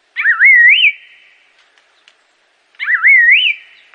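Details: Assam laughingthrush whistling two identical phrases: a quick wavy warble climbing to a higher final note, with a faint buzzy overtone, separated by a pause of about two seconds.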